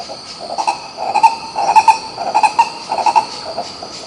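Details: Green ibis recorded in Pirenópolis, Goiás, Brazil, calling a fast, uneven chain of harsh, throaty notes at about two per second, loudest mid-clip, with steady insect buzzing high above.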